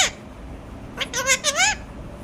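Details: Alexandrine parakeet talking: after a brief squeak, a quick run of three wavering, nasal voice syllables bending up and down, ending on a rising note.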